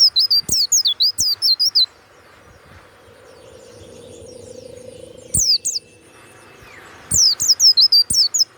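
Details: Warbling white-eye of Banyuwangi type, kept for its loud, open 'ngeplong' song: a fast string of high, twisting whistles, a short pair midway, and a final burst after several seconds of quiet.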